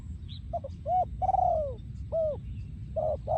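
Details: Thai breeding male spotted dove, 2023, delivering yon ku ang song: quick paired short coos, an arched coo, a long sliding downward coo, then further arched and flat coos, with low-frequency background hum.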